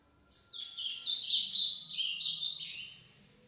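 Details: Captive ultramarine grosbeak (azulão) of the pareia song style, shown with its six-month-old son: a dense, blurred run of high chirping notes lasting about two seconds, with faint low background hum.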